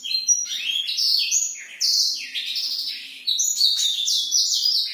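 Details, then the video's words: At night, a black-throated canary delivers a brisk, varied warble of high whistled slurs and quick trills in short surging bursts, used to encourage silent or young birds to start singing. "blackthroat gacor malam hari"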